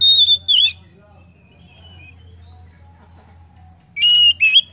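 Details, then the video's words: Oriental magpie-robin song played to encourage other birds to sing: a sharp whistled phrase opening, near-silence with faint low hum, then a fresh burst of high twisting whistles. "PANCINGAN KACER AMPUH!"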